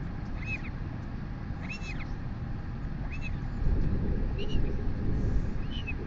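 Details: Royal albatross chick begging from its mother at feeding time, nest webcam in New Zealand, late morning, 23 August 2020. Thin, upslurred-then-falling squeals repeat about every second and a half, set against constant low wind rumble.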